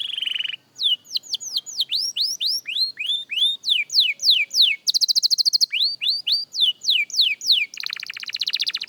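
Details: Practice song of a young canary: a short buzzy opening note, then a long run of bright descending whistles, a fast stuttering trill midway, further sweeping phrases and a dense buzzing trill at the close.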